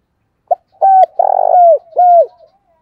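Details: Spotted dove used as a decoy to draw in wild birds, cooing in a short phrase: brief opening note, steady hooting coo, a throaty trilled coo that slides downward, then one last curved coo, with faint breathy hum underneath.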